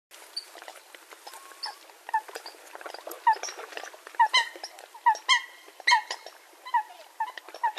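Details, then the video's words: Eurasian coot, presented as a real hunting call: short, clipped nasal notes with bright overtones, scattered irregularly and growing louder and more frequent in the second half. "Eurasian Coot (Fulica atra) Real Hunting Call Sound"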